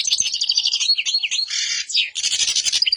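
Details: Black-headed goldfinch in song, a rapid jumble of high twittering notes with scratchy buzzy stretches and a downward-sliding slur, delivered without pause.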